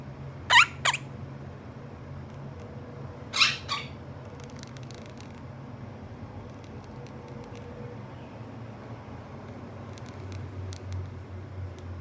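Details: A pet monk parakeet having its feathers scratched gives two pairs of short, harsh, raspy squawks about three seconds apart, then faint clicks over a low indoor hum.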